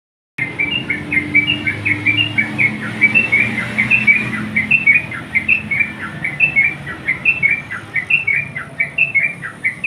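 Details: Sooty-headed bulbul calling a rival: rapid series of bright, chirpy two-part notes, rising then dropping, repeated steadily for about ten seconds with a faint low hum underneath.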